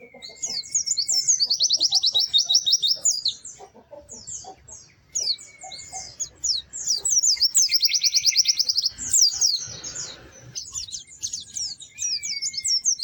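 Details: White-eye singing in repeated phrases of very high, rapid chirping trills, with a thin rising whistle at the end of several phrases. A brief noisy rustle comes near the middle.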